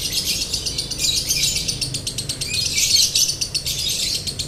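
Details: Lovebird song used as a training recording, a "konslet" style with long dry trill: dense high buzzy chatter, rapid and continuous, with grainy rattling pulses throughout.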